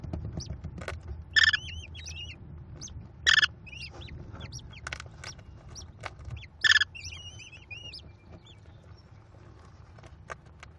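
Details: At a Cornell nest, a female American kestrel feeds her five chicks, May 18, 2021: three loud, harsh, buzzy squeals spaced a few seconds apart amid thin high twittering chirps.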